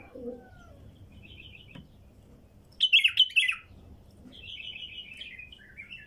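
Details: Song of a wild female bulbul: a soft chirp or two, a short silence, then a loud cluster of rapid, tumbling twitters, ending with a quieter run of buzzy warbled notes.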